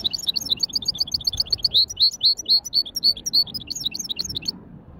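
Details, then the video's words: Hybrid European goldfinch warming up lightly at a bird market: a continuous, lively stream of high, bright twittering notes, rapid and rolling for about four and a half seconds before stopping. "توليعة خفيفة تغريد ويداني لهجين"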